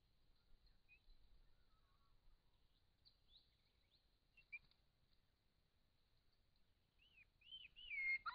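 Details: A wild grey shrike-thrush, filmed by camera trap in regional Victoria, Australia, gives a few faint scattered notes, then a brief burst of loud, slurred whistles dropping in pitch at the end, over a steady high insect-like hum.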